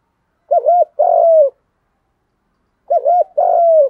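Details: Cooing spotted dove, male and female, in 'thúc gù' style for stimulating other doves to coo: two identical phrases two and a half seconds apart, a rippling double note followed by a sustained, gently falling coo.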